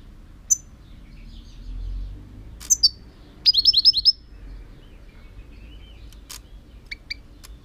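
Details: European goldfinch giving scattered sharp high chirps, then a quick burst of about six bright, even notes, followed by a few more isolated tweets over a faint low background rumble.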